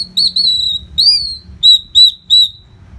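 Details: Orange-headed thrush, training song for fighter birds. Two long, pure whistles, then three short, loud whistled notes at an even pace.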